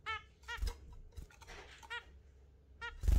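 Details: Pair of exhibition zebra finches kept with budgies, heard in the morning: nasal, honking calls repeated several times at irregular intervals, mixed with crunching, scratching and thumping from the birds moving about.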